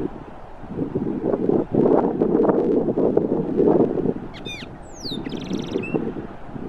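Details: An Austral blackbird vocalizing while bathing on Cerro Banitez, Magallanes Region, Chile: several seconds of splashy bathing noise, then a brief burst of sharp, high whistled notes, some sweeping up and some down.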